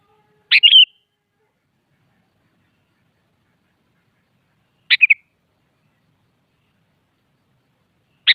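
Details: Sooty-headed bulbul singing in the morning to challenge a rival into a song duel: three short, bubbly, slurred phrases spaced about four seconds apart, each opening with a sharp note, against complete silence.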